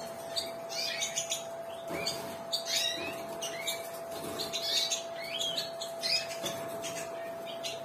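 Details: Pair of yellow satinette canaries, a prized mutation, singing: busy twittering phrases with quick rising and falling notes and short trills, fairly quiet, over a steady electrical hum and faint room noise.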